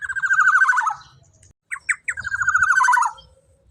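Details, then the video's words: Black-naped oriole singing loudly and vigorously: a loud, nasal, pulsed phrase of about one second slides downward, then after a short pause come two brief notes and a second long descending rasping phrase. Faint low rumble underneath. "Suara Burung KEPODANG EMAS Gacor LANTANG super KERAS"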